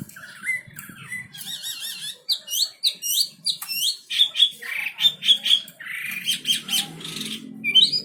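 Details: Energetic wambi bird song used as a master recording: wavering looped whistles, then a run of sharp, slurred upward notes and short harsh squawky bursts, with brief pauses between phrases.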